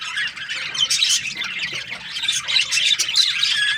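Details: Budgie parakeets chirping, a rapid jumble of raspy squawks and high warbled notes, uneven bursts several times a second from many birds at once.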